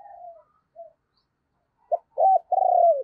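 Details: Decoy spotted dove kept to lure wild birds, cooing in the morning. One soft, drawn-out coo and a brief note, a pause, then three loud, low coos in quick succession, the last one long and level.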